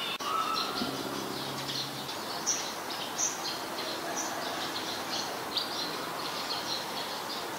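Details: Scarlet-backed flowerpecker, Ubon Ratchathani, Thailand, 7 February 2020, Nikon P1000 recording: a rapid series of high, clipped ticking notes runs steadily throughout, with a brief lower tonal sound near the start.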